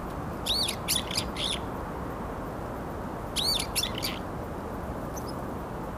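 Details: Varied tits, several birds competing with one another, filmed in January 2021: two bursts of high, rapid chirping notes about three seconds apart, over steady low background noise.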